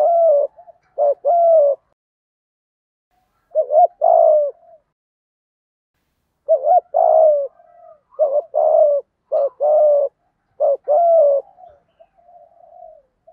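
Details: Male and female spotted doves cooing as a lure for wild birds: repeated soft, hollow two-part coos, a brief note then a longer mellow one, in irregular bursts with pauses, a quiet backdrop otherwise.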